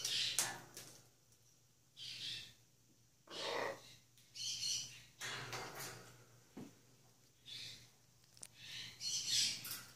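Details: Macaws, being given a peanut treat, give harsh, raspy squawks in short bursts every second or two over a faint steady indoor hum.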